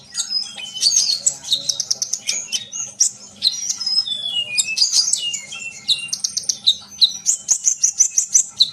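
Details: Sunbird (local name kolibri) singing at length: dense, rapid high-pitched chirps and twittering trills, with short sliding whistles and thin buzzy phrases running almost without pause; used to get other birds singing.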